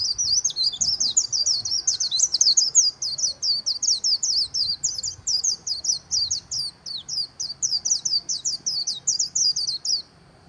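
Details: Líu-style song of a white-eye by the Kỳ Cùng River, a long rapid stream of sharp, high, sweet chirps that keeps a steady pace for about ten seconds, with a quiet low background hum.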